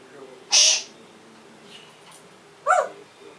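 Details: African grey parrot: a harsh, broadband screech lasting about a third of a second, then a pause and a shorter, tonal, rising-falling call near the end, over a quiet room hum.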